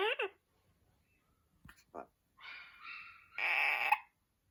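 An Amazon parrot gives a quick rising squawk, then drawn-out nasal, almost speech-like calls ending in a loud harsh squawk, indoors.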